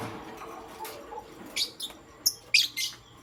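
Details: Lovebirds of pastel gray and green colour chirping in the morning, a fast run of high, squeaky chirps in the second half after a quieter start.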